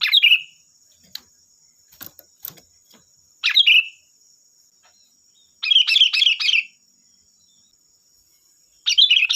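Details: Sooty-headed bulbul in vigorous song for luring other bulbuls to reply: scattered sharp bubbly phrases and a quick burst of four rapid chattering notes, with some soft clicks and a constant high hum.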